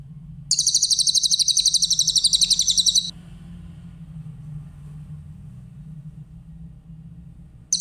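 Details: Clear-voiced grey-headed canary-flycatcher training recording for songbirds: a sharp, very high trill of rapid pulses lasting about two and a half seconds, then a long pause over a low hum before another trill starts.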